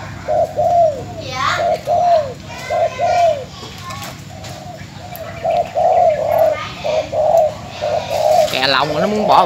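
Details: Spotted dove from Bến Tre, Vietnam, a caged decoy bird recorded before sale, cooing: low hooted notes in short runs of three or four, repeated through the recording, with a man's voice near the end.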